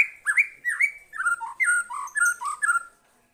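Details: White-rumped shama singing against a lure recording: fluting whistled phrases that rise and fall, repeated in quick succession, then stopping abruptly.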